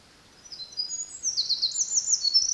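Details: Eurasian wren singing at Kurokawa Keikanzan, Japan, in July 2023; a fast, high tumbling string of thin trills and twittering notes building into a long rapid run, against a quiet background.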